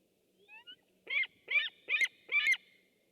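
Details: A white-tailed eagle recorded by webcam on 6 August 2015 gives two soft introductory notes, then four loud, rasping high yelps spaced about half a second apart over a faint low hum.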